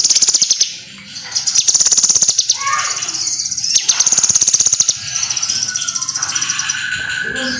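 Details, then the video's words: Kinoi singing as a training recording for other songbirds: dense, high chattering warbles and rapid trills, bursts of fast repeated ticking notes, with sweeping whistled phrases dropping lower near the end. "SUARA BURUNG KINOI GACOR.BAGUS UNTUK MASTERAN"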